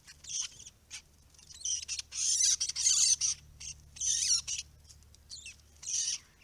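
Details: White-browed babblers visiting a pond in a curlew protection area, feeding on insects, seeds and fruit; noisy querulous scolding in loud harsh rasping bursts of about half a second, with squeaky slurred notes between.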